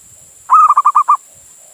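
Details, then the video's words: Male zebra dove, a local Indonesian bird, calling to a female and used as a lure to draw other doves in or set them calling: one burst of six soft, rounded coos around the same mid pitch, delivered rapidly within under a second. "Suara Perkutut Jantan Memanggil Betina"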